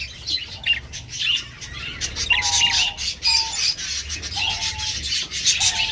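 Soft, level cooing notes from a male Diamond Dove, each about half a second, repeat roughly once a second under busy high chirping from other cage birds.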